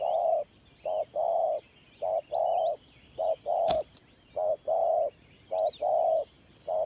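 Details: Spotted dove, a decoy bird used in trapping, cooing in the 'thổ pha nước gù' style: paired notes, a short coo then a longer one, repeated steadily about once a second. Faint sharp chirps from other birds sound higher above.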